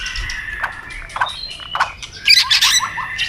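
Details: White-rumped shama singing competitively: clipped, varied whistles and chips, ending in a loud rattle of high notes.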